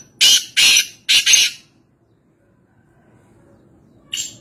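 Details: Black francolin (kala teetar) calling in the wild at Nawabshah, Pakistan, gives three loud grating bursts, the last one doubled, followed by a pause and a brief closing rasp.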